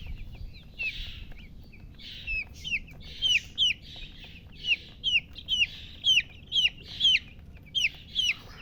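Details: Chicks chirping: clear high peeps, each sliding downward, repeated in quick bursts about twice a second, with breathy rustling between calls against a quiet low hum.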